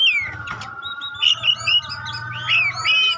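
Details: Oriental magpie-robin of the type known locally as kacer pastol, singing a song meant to test other magpie-robins: clear whistled notes and rising-falling slurred phrases, short bright bursts over a steady low hum and droning tone.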